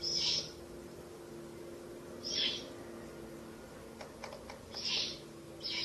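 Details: Nesting owls in a ruin, chicks eating a rabbit carcass around midnight, 30 April to 1 May 2024; short hoarse hisses about every two seconds with a quick cluster of faint clicks in between.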